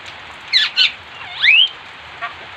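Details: Bali myna in full song, imitating other birds: a few loud buzzy upward-flicked notes, then a swooping whistled downward-then-rising slur, and a brief faint final note, over quiet background hiss.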